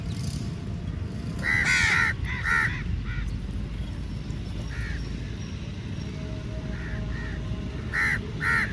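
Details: Crows gathered at feeding time, attacking the food; scattered hoarse caws in short groups of two or three, separated by gaps filled with steady low-pitched background rumble.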